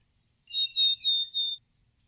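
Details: A Black-capped Chickadee whistles its fee-bee ('cheeseburger') song as four clear, pure notes on one steady high pitch, evenly spaced over about a second, like the same-pitch Pacific Northwest variant. Quiet surroundings; this species stays year-round.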